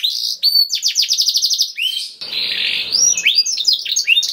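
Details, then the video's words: Canary song for encouraging other canaries to sing: quick repeated whistled notes and a fast trill, then a harsher buzzy rolling passage followed by bright upward-flicking chips. "KENARI GACOR CENGKOK ISTIMEWA #235 || VOICE OF CANARY"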